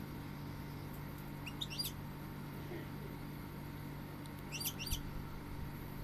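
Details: Goldfinch giving two short phrases of bright, fast twittering notes, a few seconds apart, with a continuous low drone behind.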